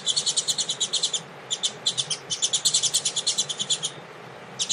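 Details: Tui Tui singing from a double-collared seedeater warming up beside a female before a contest. Quick, evenly paced, high chattering notes in long runs, about three per second overall, with a brief break midway.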